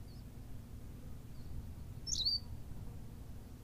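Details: Berthelot's pipit, Canary Islands (La Gomera), utters one short, high twisting note midway through, surrounded by low rumbling background noise.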